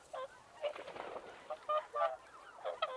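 Whooper swans give loud, bugling honks with a nasal, trumpet-like ring, several birds calling in overlapping bursts about every half second.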